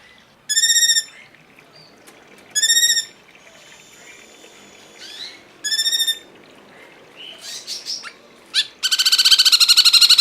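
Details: Cungkok heard in a masteran tutor recording. Short buzzy harmonic trill bursts of about half a second recur every two to three seconds, with faint sweeping notes between them, then a longer pulsed trill at the end.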